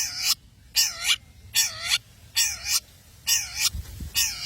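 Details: Long-tailed shrike from Madura giving loud, harsh, grating squawks, each about a third of a second long, repeated steadily roughly every 0.8 seconds.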